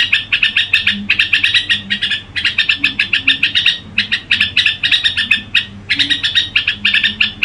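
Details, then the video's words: Red-whiskered bulbul singing in gù style, with fast, rattling chirp sequences in bursts of one to two seconds, separated by short gaps, over a faint low hum. "Tiếng Chim Chào Mào Gù Quá Hay"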